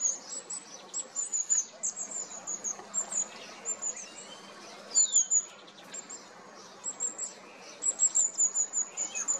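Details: Long-tailed tit flock calling: very high, thin, sibilant notes repeated in quick runs, mixed with a few lower trilled and descending sounds, against steady faint noise.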